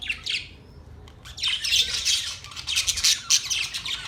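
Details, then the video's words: Budgerigars kept as pets give a brief warble, a pause, then a fast run of rasping chirps and clicks, rapid and uneven, growing busier toward the end. "Budgies chirping sounds"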